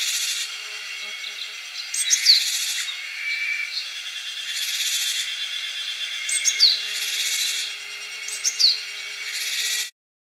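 Japanese tit giving harsh, buzzy rasping alarm notes in bursts about every two seconds, warning of a snake, with a few sharp chips and a steady high whine behind.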